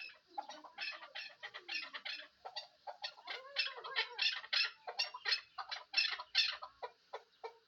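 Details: Chukar partridge, a hunting decoy bird, giving a rapid run of harsh clucking chuk notes, about two or three per second, rising into a loud dense chorus and trailing off.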